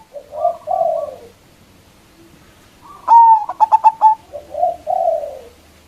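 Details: Local zebra dove, loud-voiced, calling to lure rivals: soft burbling coos, then a clear whistled note with a rapid string of short notes, then more low coos.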